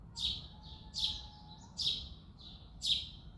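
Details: Four strong chirps from a male house sparrow at dawn in February, about one every nine-tenths of a second, each followed by a softer trailing note.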